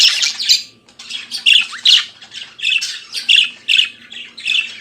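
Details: Caged budgerigar singing in the morning, a run of scratchy chirps and squawks repeating roughly every second and a half over a quiet low hum.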